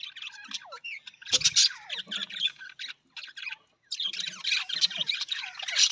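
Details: Budgerigar, Australian parrot, warbling continuously with scratchy twitters, falling whistled slurs and harsher squawky notes, pausing briefly before resuming in a dense, noisy flow of chatter.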